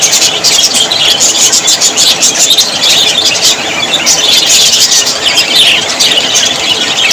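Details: Australian parrots, budgerigars described as very happy, chatter steadily: bright overlapping chirps and trilled squeaks form a constant high buzz, punctuated by brief sharp notes.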